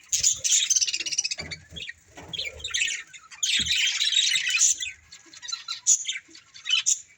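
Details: A breeding pair of budgerigars producing fast rattling trills and buzzy warbled chatter, steady for most of the stretch, with occasional soft taps and single high chirps near the end.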